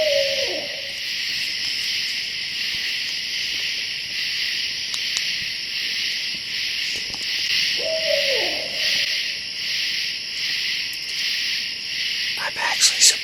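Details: Barred owl (Strix varia) directly above a tent at night in Hoosier National Forest, said to be calling for its mate: two short, deep hoots about eight seconds apart, each ending in a drooping slur, over a steady insect chorus.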